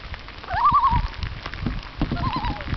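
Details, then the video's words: A loon gives two brief quavering, wavering calls, each about half a second long and a second and a half apart, over steady rain-like patter and low rumble. "loon songs"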